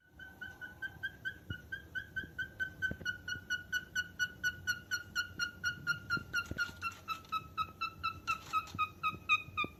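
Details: Steady series of short, clear chirps from a calling cockatiel, about two per second and slowly dropping in pitch, with faint background clicks and taps.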